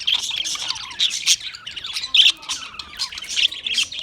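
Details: Harsh, high chirps and squawks from Australian parrots, delivered in irregular clusters about once a second, some notes sharper and louder than others.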